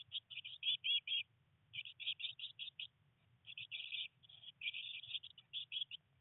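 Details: Eurasian blue tit nestlings on their nineteenth day in a nest box, three chicks, during a rainy day of first flight attempts: rapid high chirping in bursts of five to eight notes, with short pauses between bursts and a soft low rumble.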